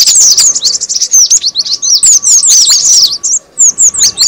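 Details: Cinereous tit lure call: quick high chirps and sharp downslurred notes, dense at first, then thinning to separate spaced twitters toward the end.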